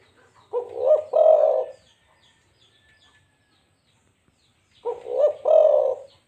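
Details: Local zebra dove repeating a staccato cooing phrase, a short stammered run of soft, low notes. Two phrases fall about four seconds apart, with near silence between them apart from a few faint high chirps.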